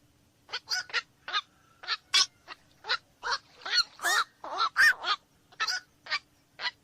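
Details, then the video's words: Harsh, nasal kwak calls from black-crowned night herons, repeated roughly twice a second in an uneven chattering series of short barks, some louder and closer than others. "SUARA BURUNG KOAK MALAM"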